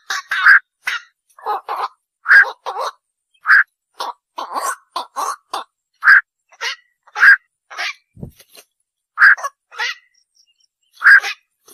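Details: Repeated rough, nasal squawks of a black-crowned night heron, often in pairs, delivered irregularly over twelve seconds against a quiet background.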